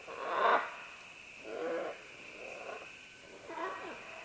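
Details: Several green-winged macaws descending along vines give harsh, rasping calls at medium close range: a strong grating squawk at the start, then three softer throaty calls spaced about a second apart, with a constant hiss behind.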